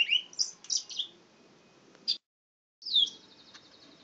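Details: Male pet canary singing: a few clear whistled notes and short rising chirps, a pause, then a quick trilled rolling phrase.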